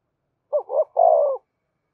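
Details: Single phrase of a spotted dove's urging coo for stimulating song: two short rising notes followed by a longer, steady, slightly falling coo.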